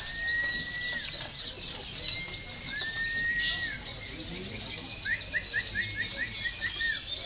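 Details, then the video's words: Olive-backed sunbird of local stock in song used to train contest birds: continuous thin, high chattering over drawn-out flat whistles that dip at the end, then a fast series of short rising notes near the close. "KONIN LOKAL BERAKSI || bisa juga buat terapi lomba"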